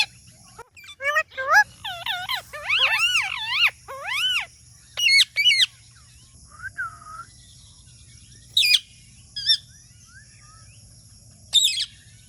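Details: Talking parrot starts with a burst of arching squawks and warbles, then falls quieter, letting out isolated sharp squeaks every few seconds.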